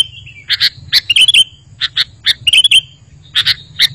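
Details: Sooty-headed bulbul giving short sharp chirps and brief whistled slurs, spaced irregularly, as a lure to make other bulbuls reply.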